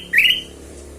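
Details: Ruby-throated bulbul used as a lure sound to prompt other birds to sing: one short, clear note that slides upward and flattens out, then silence apart from a faint low hum.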